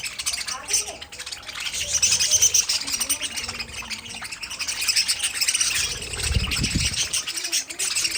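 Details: Budgerigars in an aviary colony giving a continuous chorus of high chirps and warbles, with a low thud and faint voices in the background.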